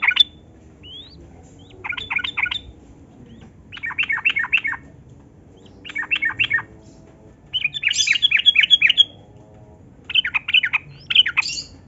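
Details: Yellow-vented bulbul in long rapid song meant to lure captive bulbuls into singing: six evenly spaced bursts of fast chattering notes, each under a second, separated by short silences, one burst higher and buzzier.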